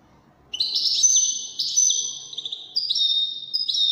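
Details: European goldfinch singing in the Moroccan wydani style, a bright series of high twittering notes and sustained whistled tones, shifting pitch between phrases after a brief quiet start.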